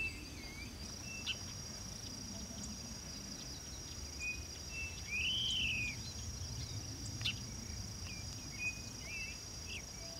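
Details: Unicolored blackbird (Agelasticus cyanopus), recorded in Ribeirão das Neves, Minas Gerais, Brazil, gives scattered short whistled notes and one louder arched, slurred note over a steady high insect drone and low rural background noise.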